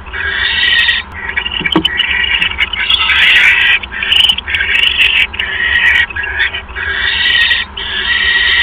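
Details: Owl at the nest during a mouse delivery on an evening in early January 2015. Long, overlapping, rasping screeches run almost without pause, broken by sharp clicks and scraping noises.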